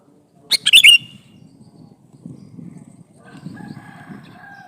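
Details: Calling to a female, a male sooty-headed bulbul gives a single quick phrase of chirpy slurred notes, followed by low rumbling background and faint distant tones.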